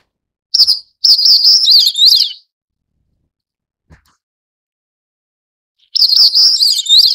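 A Crested Bunting gives a bright, rapid jumble of high chirping notes in two bursts of about a second and a half, with a few seconds of silence between them.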